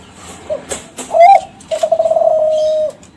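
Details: Kelantan zebra dove, young captive-bred bird from champion contest stock, singing as a lure to prompt other doves to answer. After a few clicks, a brief rising coo leads to a rapid stuttering roll that becomes one long, level cooing note.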